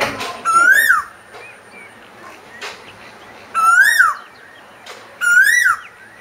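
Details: Asian koel singing: loud, clear whistled notes, each rising and then falling sharply, repeated three times about every two seconds against a quiet background.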